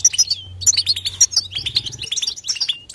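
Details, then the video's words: European goldfinch batbata song without pauses: quick clusters of sweet, high twittering notes, with a short slurred whistle dropping in pitch, then more rapid tinkling chirps. "بتبته حسون لا صمت"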